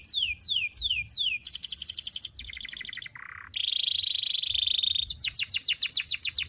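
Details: Canary song meant to train young canaries: slow falling whistles, buzzy trills at different pitches, a low brief rattle, a bright sustained buzz, then rapid sharp notes.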